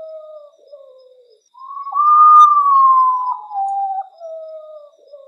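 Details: Potoo, the nocturnal ghost bird, heard at midnight: a soft falling phrase, then a loud sustained whistle that eases downward in a series of lower held notes, melancholy and slow.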